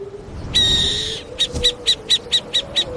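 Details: An owl gives a long raspy screech, followed by a steady run of short high clipped notes about every quarter second.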